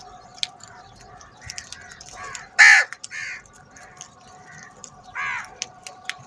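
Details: Crows in a large group fighting over food: harsh caws, one loud burst standing out among fainter calls, with scattered clicks and a steady background hum.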